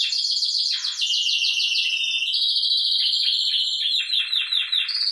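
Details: Spanish Timbrado canaries of the original strain singing in groups in an aviary: dense, continuous rolling trills and metallic tours in high pitch, several birds overlapping without a break.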